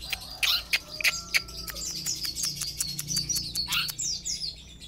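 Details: Sapudi long-tailed shrike singing rapid high chirps and descending slurred notes, mixed with a steady series of sharp clicks over a low hum.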